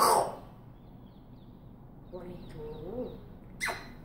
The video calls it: African Grey Parrot talking and whistling